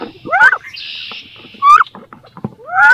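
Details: Two female wood ducks fighting inside a nest box in 2022, each trying to lay and incubate there; loud rising squealed cries near the start, middle and end, with scraping, a brief hiss and knocking between.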